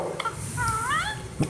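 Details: Rose-ringed parakeet, a talking pet, mimicking human speech: a short, voice-like phrase of smooth tonal syllables that rise and fall, followed by a brief harsher sound, with a person speaking nearby.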